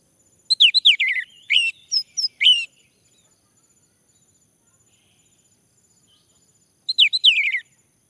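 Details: Orange-headed thrush male singing as a prompt for other males: several rich whistled phrases of falling, slurred notes mixed with higher squeaky notes. A pause follows, then another rapid phrase of tumbling whistles.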